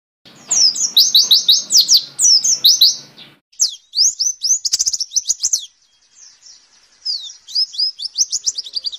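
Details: Warbling white-eye (pleci) singing a 'nembak' style tutor song meant for training captive birds and played in the morning, a rapid chattering run of high, sharp, slurred chirps in dense bursts broken by short pauses.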